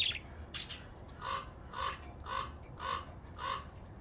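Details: A crow outside, heard from indoors near pet budgies, gives five harsh, hoarse caws, evenly spaced about half a second apart, after a couple of brief sharp sounds at the start; the budgies are used to it and mostly ignore it.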